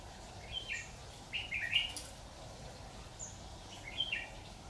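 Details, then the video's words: Decoy red-whiskered bulbul during trapping, 26 October 2019, utters brief clipped whistled notes in small bursts separated by pauses. Quiet background hum. "Bẫy chào mào"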